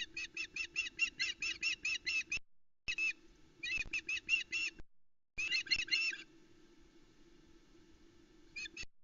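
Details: Osprey female on the Loch Arkaig nest, Scotland, shouting as the male brings a large headless trout on 17 July; fast runs of sharp, piercing chips repeated about five per second, broken by short silences, faint low hum.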